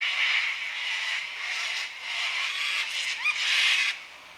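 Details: Cockatoos calling on a Sunday afternoon around 5 pm during daylight saving time: a dense, continuous wash of harsh, raspy screeches from several birds overlapping, swelling louder near the end.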